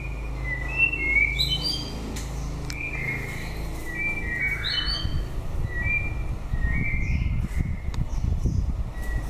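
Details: White-rumped shama singing at the end of the breeding season: a varied run of clear whistled notes, some rising, some falling, scattered from middle to very high pitch, with a low background rumble.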